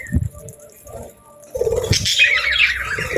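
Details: Pet budgerigars, happy birds: a quiet start with a single chirp and low knocks, then a steady run of high, scratchy warbling chatter through the second half.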